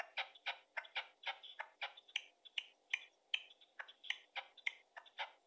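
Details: A red-legged partridge (Alectoris rufa) calls with harsh, clucking chuck notes in a rapid, steady series, about three each second, with no other clear sounds.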